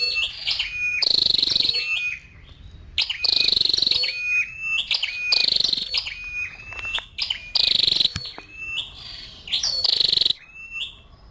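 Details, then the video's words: Female scarlet-backed flowerpecker calling: five loud, high, rattling buzzy trills at roughly two-second intervals, interspersed with sharp thin chips and faint flat whistled tones. "Tiếng chim sâu đầu đỏ mái"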